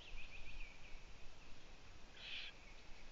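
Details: Young owls in the nest on an afternoon in June 2017, the female away for two days and two owlets out on a balcony; thin wavering calls, then one brief harsh hissing burst near the end, over constant low background rumble.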